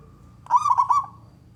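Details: Brief male zebra dove phrase, four quick rolling coo notes, sung to lure other doves into song.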